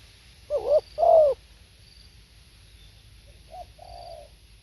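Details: Spotted dove, recorded live: two loud, throaty coos with a slight dip, then two softer, lower coos trailing off after a short pause. A faint high hum runs steadily in the background.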